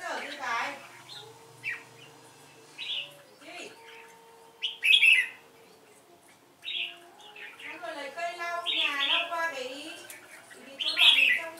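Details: Two Red-whiskered bulbuls in competitive singing against a decoy bird. Short bright warbled phrases burst out every second or two, some with rapid stacked trills, over a steady low hum.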